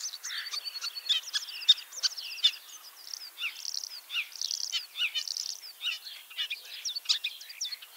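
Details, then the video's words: Common starling, a ringed bird carrying a Kaunas, Lithuania leg ring and returning for its third spring, in Liepāja, Latvia, with a leg injury: a fast jumble of clicks, rattles and high whistled notes, dense and varied throughout. "MĀJAS STRAZDS /Sturnus vulgaris/"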